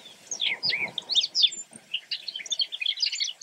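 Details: Brewer's blackbird: dense overlapping chorus of short squeaky chirps and chattering notes from several birds, continuous throughout with varied upslurred and downslurred bits and a faint low rumble beneath.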